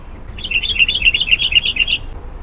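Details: Sooty-headed bulbul, a lively lure song for calling wild bulbuls: a fast run of bubbly, warbled notes lasting about 1.5 seconds, steady and clear over a faint constant hiss.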